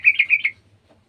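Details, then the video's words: A single brief, bright phrase of four quick chirping notes from a garden sooty-headed bulbul chiming in with an untrained bird. "TRUCUKAN KEBON ikutan bunyi burung trucukan bahan"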